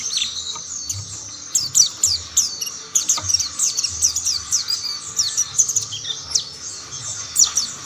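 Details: Mountain white-eyes in chorus as others join the singing; busy stream of sharp, high twittering notes and quick slurred chirps, rising in intensity after the first second and continuing steadily, low hum underneath.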